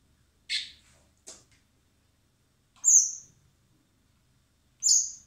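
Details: In spring at a wildlife recovery centre, hand-fed common blackbird nestlings destined for release beg with two raspy bursts, then two drawn-out piercing squeaks about two seconds apart.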